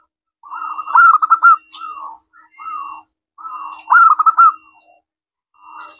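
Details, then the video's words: Local zebra dove with a clear ringing voice, played as a lure so other doves reply right away; trilled, bubbling coo phrases with softer lower notes between them, repeated about every three seconds. "Perkutut lokal gacor suara kristal, ampuh untuk pancingan langsung nyaut"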